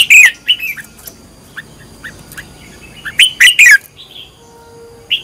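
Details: Red-whiskered bulbul being trained as a decoy singer, with a loud slurred whistle, several soft short chirps, then a rich descending warbled phrase and a final clipped note.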